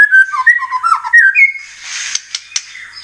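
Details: Murai batu (white-rumped shama) lure song intended to excite other birds. About a second and a half of quick varied warbling whistles gives way to rustling noise and a few clicks.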